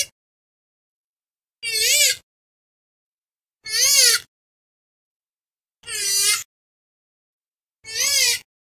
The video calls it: কালিম পাখির ডাক । Purple Swamphen Bird Call